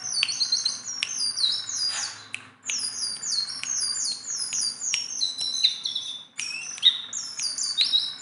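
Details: Tame, hand-trained Sunda bulbul singing nonstop and vigorously: a dense stream of high, quick whistled notes, many sliding downward, overlapping in bursts with brief pauses near three and six seconds.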